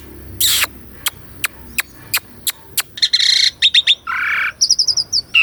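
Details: Asian pied starling singing, caught on a Sony A6400 camera to rouse a silent caged starling: a series of dry sharp clicks, then harsh buzzy bursts, a rasping note and quick high chirped notes.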